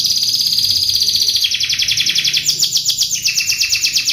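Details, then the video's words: Singing canary used for song training, delivering long rapid trills of high pulsed notes that drop to a lower trill partway, then jump up again and fall once more, with a continuous rolling rhythm. "MASTERAN KENARI MACET | CANARY SINGING"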